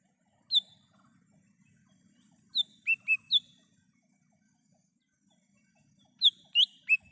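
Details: In the wild, a lesser green leafbird sings a lure song for trapping: a lone sharp whistle, then a four-note phrase of bright descending whistles and a later three-note phrase, over quiet low background noise.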